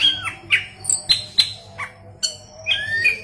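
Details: Yellow-headed leafbird singing intensely, used as tutor song for green leafbirds: varied clear whistles, some sliding and warbled, broken by harsh buzzy bursts, over a steady low electrical hum and a faint constant tone.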